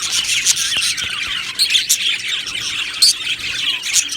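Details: Budgerigar colony in an aviary, happy birds chirping: a steady bed of high twittering from many individuals, punctuated by clear sharp chirps and a few short squawks.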